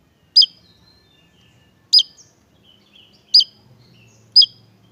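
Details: Javan tesia, a bird sought as a master tutor for training songbirds, giving four sharp, high, piercing notes that drop quickly, each about one and a half seconds apart, with faint softer twitters between them over a quiet background.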